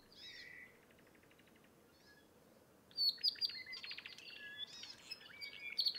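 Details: Apapane on Hawaii Island in rain forest: a brief buzzy note and a rapid clicking trill, then after a pause a burst of varied squeaky whistles, chips and rattles over a steady low hiss.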